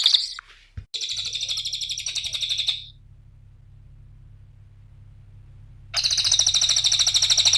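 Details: Cililin lure song for training cage birds: two stretches of rapid, buzzy, high trilling separated by a few seconds of quiet. A soft low hum is heard in the background.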